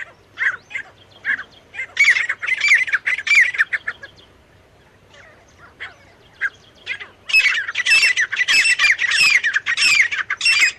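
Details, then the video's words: Male and female partridge calling. Loud bursts of harsh, scratchy notes come in rapid runs, a brief pause, then a longer, denser run of repeated rasping calls toward the end. "नर और मादा तीतर साउंड। Male teetar and female teetar voice."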